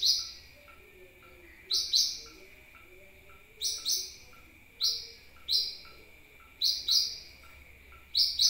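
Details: Sunbird lure sound for attracting birds: a run of about seven shrill, high chip bursts, many doubled, repeated roughly every second, with a soft steady whine behind.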